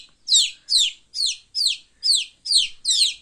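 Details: Chicks at play, a young chicken's shrill descending peeps, each sharp and clear, following one another roughly twice per second in a quiet setting.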